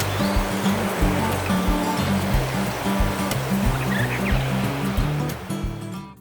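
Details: Low, steady background music plays over a rushing, water-like hiss, with no animal calls standing out.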